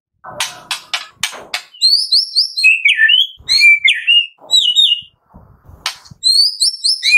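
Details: Murai batu (white-rumped shama) afternoon 'tembakan' song meant to spur another shama to sing: sharp clicking strokes, then wavering high whistles and twisting slurred notes, clicks returning at the end.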